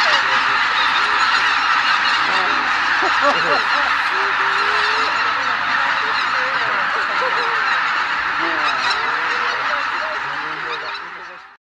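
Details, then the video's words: Greater white-fronted geese, a flock on a marsh, all taking off together at sunrise in a morning skein; dense, continuous chorus of many overlapping nasal, yelping honks from numerous birds, steady throughout and fading slightly at the end. "マガン ～朝の飛び立ち～"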